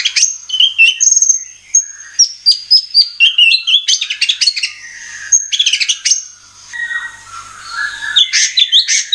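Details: White-rumped shama (murai batu) singing as a lure to provoke other birds to sing: a varied medley of sharp whistled notes, rapid chirps and buzzy trills, jumping between high and mid pitches with brief pauses.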